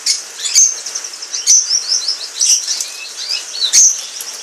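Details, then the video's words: Pair of Orange Frost canaries, one singing a high, rapid twittering warble of thin trills and sharp notes, with soft thumps of wing flapping every second or so. "Canary Singing"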